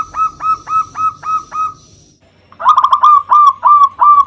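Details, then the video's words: Local zebra dove singing as a lure to provoke rival birds. Six spaced, clear hoots, a short silence, then a quicker stuttering run of rolling coos. "Perkutut Lokal GACOR suara Besar Ampuh memanggil Lawan EMOSI MANGGUNG PANCINGAN PERKUTUT LOKAL"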